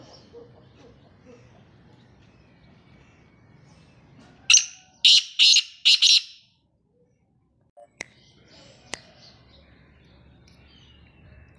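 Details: Harsh, grating call of a male black francolin: a rapid run of about five loud rasping notes in under two seconds, preceded by faint background twittering and followed by a few sharp clicks.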